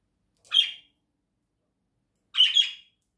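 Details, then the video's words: Pet budgerigar at home uttering two loud, scratchy chirps about two seconds apart, the second slightly longer and doubled, with silence between. "Попугайчик Гоша красиво поёт"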